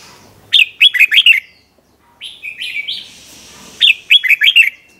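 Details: Red-whiskered bulbul giving its 'double' song, recorded for training young birds: two bursts of five sharp, bubbly notes with a quieter string of gliding whistles between them.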